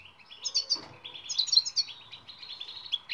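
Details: European goldfinch tutoring song for silent birds, a fast string of bright chirps and tinkling notes running almost without pause.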